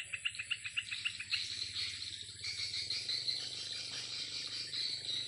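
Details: Over a swiftlet house in the afternoon, swiftlets at play give an opening series of evenly spaced sharp chirps, then a thick wash of high twittering; a steady low hum runs underneath.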